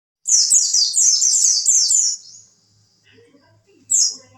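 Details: Oriental white-eye song used as a tutor recording for contest birds, nicknamed 'wit wit': a two-second burst of rapid, high, sharp twittering notes, then a pause and one more bright chirp, with faint low hum underneath.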